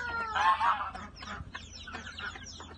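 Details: Hens coming out of the coop in the morning: a louder drawn clucking call at the start, then scattered clucks and chatter from the flock.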